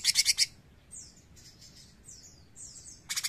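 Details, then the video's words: Cucak cungkok bulbul in 'nembak' style: a brief loud burst of four or five grating pulses, soft downslurred whistled notes, then another short burst at the end. "CUCAK CUNGKOK GACOR NEMBAK GURIH!"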